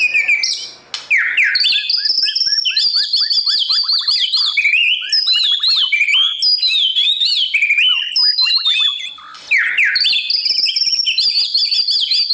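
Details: Sustained, loud song of a white-rumped shama in the morning, training newly caught birds to sing fiercely for contests; dense, rapid cascades of varied whistles, trills and sharp chips without pause, a brief drop near the ninth second.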